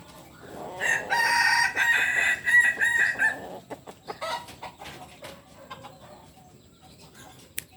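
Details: Native Solok, West Sumatra Kukuak Balenggek chicken, biriang kuniang variety, crowing. Its loud, multi-note crow lasts about two and a half seconds in choppy stepped segments. Scattered clicks, knocks and faint fragments follow in a quieter background.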